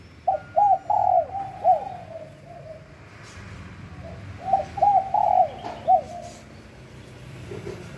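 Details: Repeated coo phrases from a wild spotted dove recorded at Bang Bai Mai, Surat Thani, Thailand. Each group holds short arched notes and a longer falling note. Two such phrases sound about four seconds apart over a low background hum.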